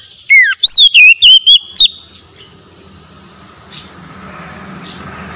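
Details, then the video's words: Oriental magpie-robin song played as therapy for a stressed, mute bird: a quick series of six loud, looping whistled notes, the first sliding downward, followed by near silence with faint background sounds. "PEMULIH KACER SETRES BISU MACET BUNYI LANGSUNG GACOR"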